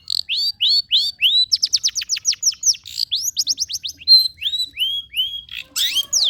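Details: Long-tailed shrike song as a singing lure for reluctant birds: repeated clear, arched whistled sweeps, rising then falling, in quick series with a few rapid downstrokes, very clean recording.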